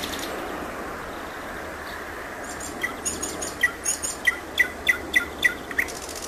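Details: Thrush nightingale singing: after quiet opening hiss, a rapid series of about ten sharp, repeated clicking notes with high metallic overtones, evenly spaced, over a steady broad background rush.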